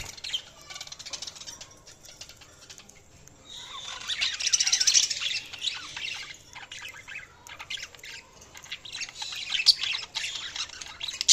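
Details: Budgies chirping: after a quiet start, a continuous fast chatter of high, scratchy warbles and squeaks swells, pauses briefly, then resumes just as dense.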